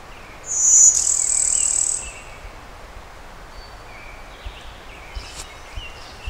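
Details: Brewster's warbler, a Blue-winged × Golden-winged warbler hybrid singing a Blue-winged warbler type song, Oil Creek State Park, Western Pennsylvania, May 20, 2011, cloudy: a thin high note followed by a long, loud, buzzy high trill, then quiet woodland.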